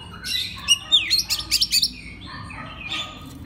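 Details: Oriental magpie-robin master song for making other magpie-robins sing: quick descending whistles and a rapid series of sharp chirps, then softer warbled notes.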